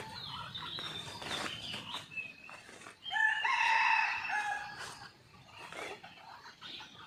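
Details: A storm-roused red junglefowl on a morning hidden-camera watch delivers a loud, hoarse crow after about three seconds, preceded by fainter crowing and followed by scattered bird chirps over background hiss.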